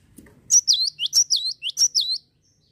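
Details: Java sparrow calling to spur other birds into song: around eight bright, high chirps in quick succession, each bending down then up in a hooked shape, ending abruptly after under two seconds.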